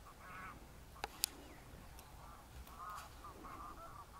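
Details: At close range, a greylag goose gives soft, nasal honks in short runs, with a couple of sharp clicks and low background rumble.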